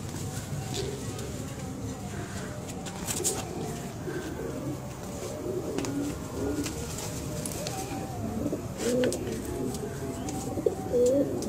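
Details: Red Indian Fantail pigeons, a domestic fancy breed, give low, throaty rolling coos, several birds overlapping, with faint background chatter and occasional clicks.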